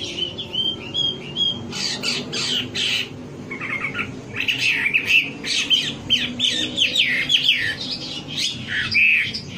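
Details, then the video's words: Wambi bird song used as a lure to prompt caged birds to sing: bright chirps and short twittering phrases, then a dense run of varied whistled and squeaky notes, with a faint low hum beneath. "Suara pancingan burung wambi agar cepat gacor"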